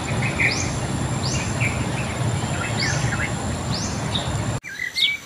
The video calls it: huni ng ibon